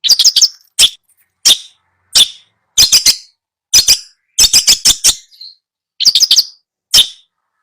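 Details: Long-tailed shrike song used as a tutor recording for shrikes that have stopped singing: short bursts of harsh, scratchy broadband notes, often in quick pairs or triplets, separated by brief silences, with a faint thin whistle near the middle.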